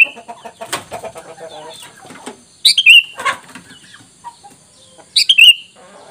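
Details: Lure call of a Sooty-headed bulbul meant to make wild birds respond: two brief bright phrases, each a quick high note sliding into a falling whistle, with rustling and tapping sounds between them.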